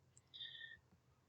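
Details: A Barred Owl near a nest area in Washington gives one high, strained scream held steady for about half a second, after a brief thin squeak, over a quiet low rumble; Barred Owl.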